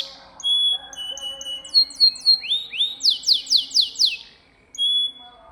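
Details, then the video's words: Canary in 'gacor' masteran song, meant to teach pet canaries: pure whistled notes, short upslurs, then a series of loud rising-and-falling swept notes repeated about four per second, ending with a clear whistle. "Suara Burung Kenari Gacor Bikin Hati Tenang | Suara Masteran Kenari Terbaik Sepanjang Hari"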